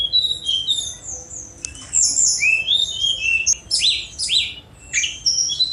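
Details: Sunda robin, known as tledekan gunung, giving a continuous rich song of high whistles, descending slurred notes and scratchy trills, almost without pause.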